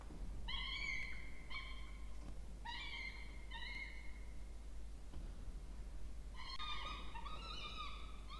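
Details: Two peregrine falcon nestlings fed in a water-tower nest box in Orange, New South Wales, Australia, 20 October 2024, calling to beg; flat, nasal harmonic wails in short groups separated by gaps, then a denser overlapping burst.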